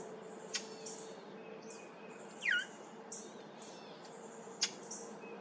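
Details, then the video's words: Brown thrasher giving an unfamiliar sound in a cemetery on July 8th, 2023: a quick slurred note dropping in pitch, flanked by two sharp high clicks, over quiet background with faint distant chirps. "Brown Thrasher making unfamiliar sound"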